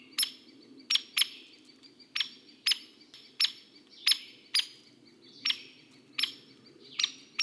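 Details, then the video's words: Hairy woodpecker giving its most common call, a short, sharp 'peek', like a Downy's but louder, more energetic and lower; about ten notes in seven seconds at an uneven pace over a faint low hum. "SOUND #1: “peek”"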